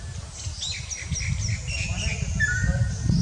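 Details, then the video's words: Greater racket-tailed drongo calling at Kalatang in the Andaman Islands, India. A run of short whistled notes steps downward, then a longer flat whistle follows, over a steady low rumble. "Greater Racket-tailed Drongo Call"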